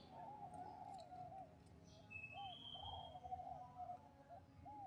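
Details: A zebra dove (Geopelia striata) sings soft, rolling coos in bubbling phrases, repeated with short pauses, with faint high whistles from other birds behind it.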